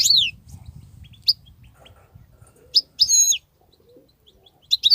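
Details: Wild European goldfinch singing: scattered high falling twitters and a brief buzzy trill, separated by quiet gaps, with faint low rumble early on.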